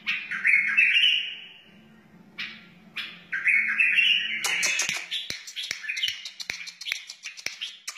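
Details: A wild bulbul gives two looping warbled phrases, then a rapid, crackly run of notes and clicks follows, all over a faint low hum; played to teach young birds and stir other bulbuls to sing.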